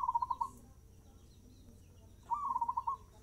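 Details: Zebra dove at a fast tempo: the tail of one phrase of rapid coo pulses, a pause of almost two seconds, then a full phrase with a rising whistle and a quick string of about seven bubbling notes.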